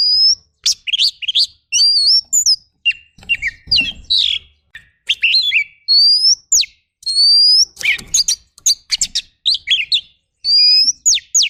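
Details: Oriental magpie-robin rough fill-in training song: a dense run of varied chips, twisting whistles and rising tones in quick bursts, broken by short pauses over eleven seconds, with faint low thumps in the background.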